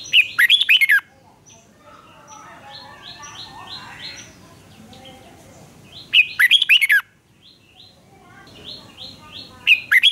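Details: Red-whiskered bulbul in a singing duel, being trained to sing: bursts of loud, bright, warbled whistled phrases about a second long, repeated after pauses, with softer chirps from other birds in between.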